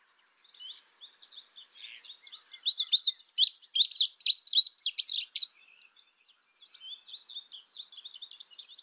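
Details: Indigo bunting with soft high twitters that build into a loud burst of sharp, rapid chirped notes lasting about three seconds, a pause, then quieter twittering resumes and grows stronger.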